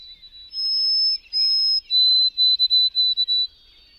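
White-throated Sparrow singing: two long, pure, high whistles, then a slightly lower whistle broken into quick repeated notes, all within about three seconds.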